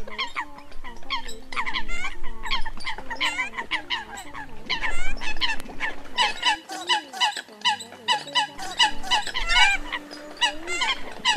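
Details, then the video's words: A dense chorus of Eurasian coots recorded during the 2020 migration season, used as a lure recording: short, nasal, honking calls overlapping rapidly and continuously, several birds at once, over a low steady hum. "Tiếng Sâm Cầm"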